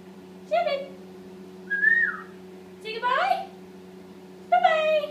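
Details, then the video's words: Young pet Indian ringneck parakeet, eight months, practising how to talk in the shower: four separate short utterances, nasal speech-like notes and one clear falling whistle, spaced roughly a second apart over running water hum. "Indian Ringneck talking up a storm!"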